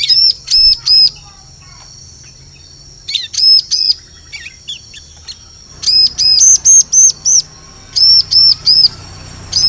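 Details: High, bright arched notes from a bar-winged prinia, given in quick pairs and triplets with pauses between bursts; a lure recording meant for use in the forest.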